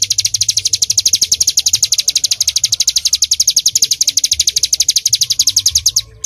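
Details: Sustained 'nembak' song of a bar-winged prinia: a long stream of piercing, evenly spaced high notes, roughly eight each second, cutting off abruptly just before the end.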